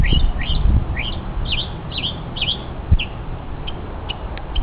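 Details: Mockingbird showing off its vocal talents on a hiking trip: a series of clear, upslurred whistled notes repeated about twice a second, followed by sharp short ticks, with low wind noise beneath.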